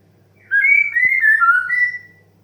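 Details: White-rumped shama 'desahan' (sighing) song used to stimulate young, stressed and untrained birds to sing. A single rich whistled phrase of about one and a half seconds wavers downward, ending on a steadier level whistle; a faint click midway.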